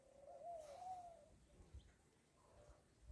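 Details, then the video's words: Rock dove on a farm: a single drawn-out, wavering mid-pitched coo lasting about a second, slightly rising then falling, followed by faint softer murmurs against low background rumble. "Φάσσα Columba livia!"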